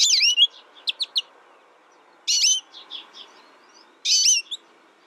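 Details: American goldfinch repeating a loud, high, swooping whiny note three times, roughly every two seconds, with short chirps and soft twitters between.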